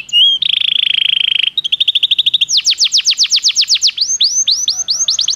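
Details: Belgian canary song used for training canaries: a varied high run of phrases, first a steady whistled trill, then rapid repeated notes, then a series of fast sweeping downward slurs and bright chirps, all loud and close.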